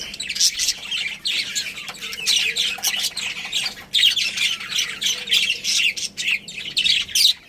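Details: Captive budgerigars, a breeding pair with family, keep up a dense stream of squawky, twittering chirps that rise and fall in loudness, with a short lull at about the middle.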